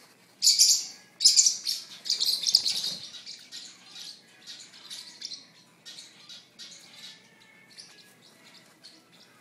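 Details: A female sun conure clicks her beak while tearing up a napkin, in quick bursts of dry, high clicking that are loudest at the start and then fade.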